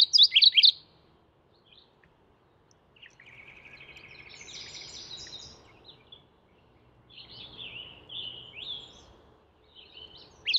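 Mourning warbler: a burst of sharp, high chips, then two rolling, slurred phrases in a high register, separated by pauses, over faint background hiss.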